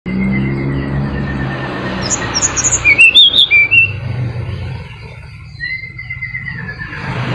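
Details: Mountain flycatcher song used to lure silent caged birds into singing: a burst of sharp, high descending notes in quick succession mid-clip, with a later rising whistle over a steady low hum.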